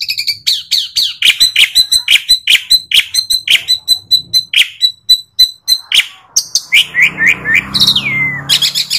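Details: Asian pied starling pouring out rhythmic chattering notes in quick succession, then a run of descending whistled slurs, with some low background noise near the end.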